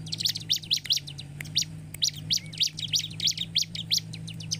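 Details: Bar-winged prinia song used to provoke singing: sharp high chirps spaced in uneven groups, some louder notes standing out, with a steady low hum throughout.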